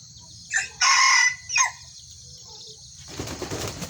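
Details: In a one-cage crowing contest between a red and a yellow Kukuak Balenggek, three short harsh crowing bursts sound close together, then a flurry of wing flapping follows over a steady insect hum.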